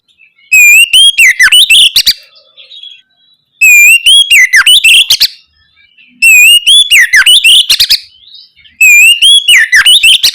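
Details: Oriental magpie-robin song in the ngeplong gacor style, used as a lure to make young birds answer: a loud phrase repeated four times, about every two and a half seconds, each opening with a clear rising whistle, then twisting notes and a rapid chatter.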